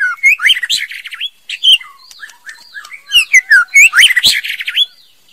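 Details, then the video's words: Female white-rumped shama song made of quick rising and falling whistled phrases mixed with harsh chirps, delivered in two dense bursts split by a brief lull. "TIẾNG CHÒE LỬA MÁI HÓT CHUẨN MỚI NHẤT | Copsychus malabaricus"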